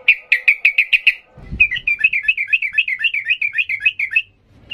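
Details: Sooty-headed bulbul in excited, full-voiced 'ngalas' singing, used as a model for young birds: a fast series of sharp chips, a soft thump, then a long rippling chain of bubbly rising-and-falling warbles.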